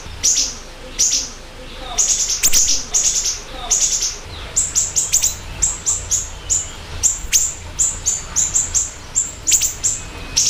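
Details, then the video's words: Siri-siri bird in busy song for luring and tutoring: a slower opening of high chirps, then a steady rapid series of crisp, very high notes roughly every quarter second with occasional sharp upward sweeps. "Pancingan Dan Masteran Burung Siri Siri Gacor Dor"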